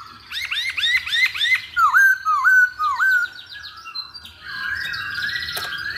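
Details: Chinese hwamei lure song: fast run of repeated rising-falling whistles, then several deeper slurred whistles, followed by varied chattering, buzzy notes and a steady whistle at the close.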